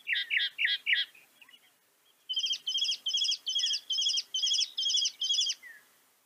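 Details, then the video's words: A Northern Mockingbird of North America sings a fast burst of four downslurred notes, then switches to a new bright, chattering phrase repeated about eight times. "Veja o canto do pássaro, ave zombeteira"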